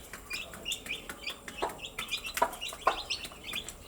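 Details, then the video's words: A brood of chicks chirps steadily in thin, high, down-slurred peeps, with rapid light tapping and two sharper clicks in the middle. "Cute Baby Chicks with chirping sound"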